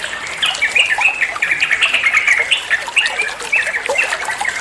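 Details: Yellow-vented bulbul (trucuan) song, played as training material so other songbirds will answer: lively chattering phrases of short bright whistled notes, rising and falling, repeated in quick bursts over a steady hiss.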